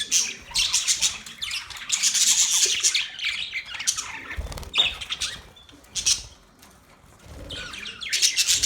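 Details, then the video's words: Australian parrots known as budgies give rapid, harsh, high chirps and squawky chatter in bursts, with a few soft thuds and a brief lull before the chatter returns. "Sound of Budgies parrot Budgies chirping sound"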